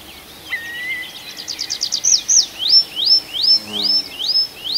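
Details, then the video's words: Night forest birdsong in the Arkhangelsk region in June: a thin whistle, a rapid high trill, then a loud, regular series of sharp downslurred notes repeated about twice per second, with distant chirps behind. "Пение птиц в ночном лесу"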